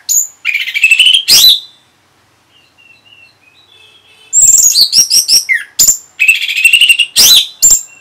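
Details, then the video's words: Orange-headed thrush song used as a lure to provoke a reply from another orange-headed thrush: loud, varied phrases of rich whistles, rapid chattering notes and sharp high squeaks, delivered in bursts with brief pauses between. "Reaksi ANIS MERAH Saat Dipancing Suara Ini !! Langsung Nyaut"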